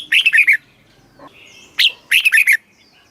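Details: Red-whiskered bulbul from Thailand singing a southern master-style phrase meant to excite caged birds: a quick cluster of four bright notes, a lone higher note, then another fast four-note run.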